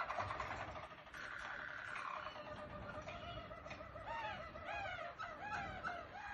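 Harzer Roller canary song: low, soft rolling trills run on without a break, then shift into quick bubbling, swooping phrases near the end.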